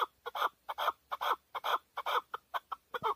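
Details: Male chukar partridge kept as a hunting bird, recorded in Tajikistan in 2020, calling a steady run of hoarse, clucking chuk notes, often doubled, roughly two per second. Quiet background.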